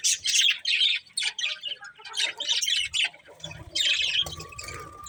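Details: A breeding pair of budgerigars giving scratchy, buzzy chirps and squawky bursts in quick irregular runs, with brief pauses between clusters and a faint steady tone in the background.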